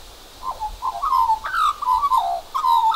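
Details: Australian magpie holding a cockroach in its beak, one of two magpies, making unusual croaking sounds, perhaps courtship or display: a run of throaty gurgled warbles, rising and falling slurs strung together almost without pause.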